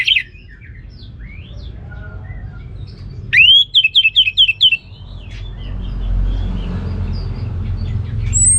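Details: Ngeplong gacor song of an orange-headed thrush. Scattered soft notes give way to a strong run of six evenly repeated, ringing whistled notes, then a few quieter high notes with steady background rumble.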